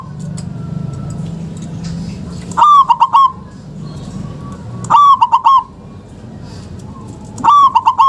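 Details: Zebra dove, local type, used to lure reluctant doves into calling; three compact bursts of quick, bubbly cooing about every two and a half seconds over a low murmur.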